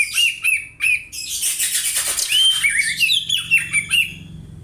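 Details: Oriental magpie-robin mimicking house sparrow chirps as tutoring material: loud, harsh, squawky notes that rise sharply, repeated in quick succession, then running into a scratchy, chattering stretch of overlapping high calls.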